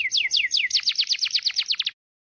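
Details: White-rumped shama training recording with clear sound: a run of about fifteen loud whistled notes, each sliding sharply downward, the early ones spaced apart, the later ones quicker and tighter, stopping abruptly.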